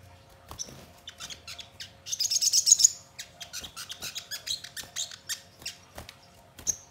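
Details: High-pitched song from a crimson sunbird, used to coax birds into singing back. Scattered chirps lead into a loud rapid sizzling trill, followed by uneven runs of sharp tweets.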